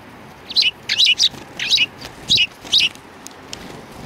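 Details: Sparrows coming to be fed at a Tenmangu shrine on 7 February 2020; a run of bright, scratchy chirps in quick bursts, about six clusters within four seconds.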